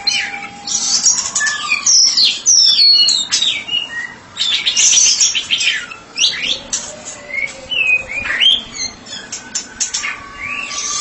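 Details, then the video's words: Ngeplong song from a White-rumped shama billed as a therapy specialist: dense, fast-changing phrases of sharp chirps, swooping whistles and harsh notes, delivered almost without pause. "Murai batu spesialis terapi sedang ngeplong"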